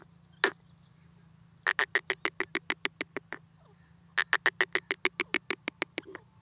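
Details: Free-roaming grey francolin (teetar) gives a single loud harsh note, then two long runs of rapid, evenly spaced raspy notes, roughly four per second. A low constant hum runs underneath.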